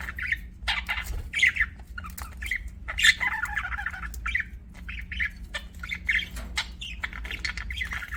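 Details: Budgies chirp continuously, mixing scratchy clicks, squawky bursts and warbled mid-pitched notes in an uneven stream, steady hum behind.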